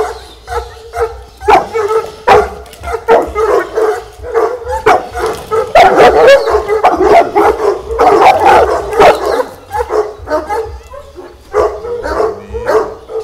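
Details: A one-year-old Fila Brasileiro, in its first encounter with a decoy, barks rapidly and insistently, deep woofs running together in a steady guarding volley that shows aptitude for guard work.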